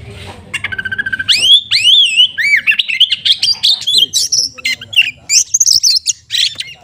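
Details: Kacer, the oriental magpie-robin, from a collection of songbirds, pouring out a long rapid song: steady repeated chips, then looping upslurred whistles and fast twittering phrases packed tightly together, with faint background hum.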